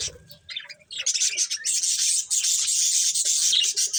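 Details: Budgerigars eating corn start softly with a few chirps and low rustles, then break into loud, unbroken high scratchy chatter.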